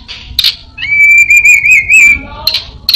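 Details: Orange-headed thrush copying prinia, cat, cirtu and other birds: a long wavering whistle rich in overtones between brief buzzy high bursts, ending in a falling note.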